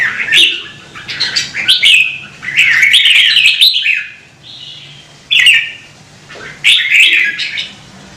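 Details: Red-whiskered bulbul, a caged bird kept to sing, delivering loud rich warbling phrases of rolling whistled notes, several bursts in quick succession then shorter phrases after pauses, in a quiet room.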